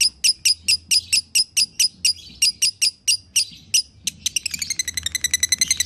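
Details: Lovebird singing gacor in the konslet style, a master track for teaching other lovebirds: steady series of sharp, squeaky high chips about twice per second, shifting near the end into a fast rattling trill, faint low hum behind.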